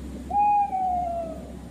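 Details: Tawny owl recording played back in a children's radio nature segment about owls; a single clear, drawn-out hoot that holds steady then falls slightly, over a low hum.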